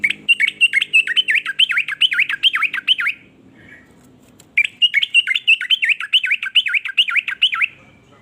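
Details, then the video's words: Yellow-vented bulbul singing a varied song said to make other bulbuls envious and join in. Two long runs of fast, bubbly, up-and-down warbled notes are split by a brief quiet gap. "ber macam" suara trucukan ini bikin trucuk lain iri jadi langsung ikut bunyi"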